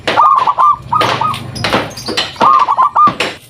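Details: Zebra dove of local stock giving a lure call to prompt other doves to answer. Two runs of quick trilled coo notes alternate with loud broad scraping and knocking sounds.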